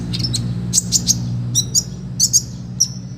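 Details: Olive-backed sunbird in full, lively song with rich filler phrases, used as a tutor recording for training other birds: short, sharp, high chirps and brief whistled slurs in scattered bursts over a steady low hum.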